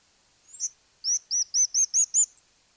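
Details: Crowned Slaty Flycatcher (Griseotyrannus aurantioatrocristatus, tuquito gris), one of Argentina's common birds, sings a faint introductory note, then six thin, very high, squeaky slurred notes at about five per second, over a quiet background.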